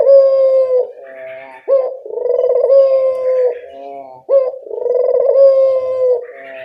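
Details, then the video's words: Local Indonesian dove, used as a lure call to make wild birds answer; loud, steady low cooing notes in long sustained phrases, broken by short rising hoots about every two and a half seconds, with faint higher chirps in the background. "Suara pancingan burung puter lokal sangat mudah nyaut"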